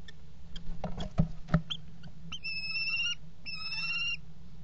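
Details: Common kestrel at a nest box in a water tower at Axel, Netherlands, 5 February 2018, during mating on the box edge: knocking and scraping, then two drawn-out, whining, strongly harmonic calls, each about half a second.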